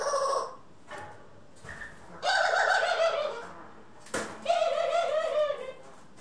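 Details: Pet doves, a household of ringneck, Senegal and hybrid doves recorded indoors on April 25, 2021, giving two bouts of low, rolling coos, each about a second long and pulsing slightly, separated by a pause with sharp clicks.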